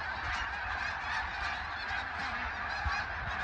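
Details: Massed snow geese honking together, a species said to migrate in flocks of up to 100,000: an unbroken roar of yelping, nasal calls layered thickly over one another throughout.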